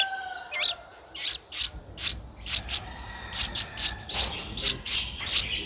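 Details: Begging of an 11-day-old Streak-eared Bulbul nestling, recorded in Ubon Ratchathani, Thailand, 13 April 2023: sharp, high, rasping chips repeated rapidly and irregularly, opening with a short rising note and a soft tonal whistle.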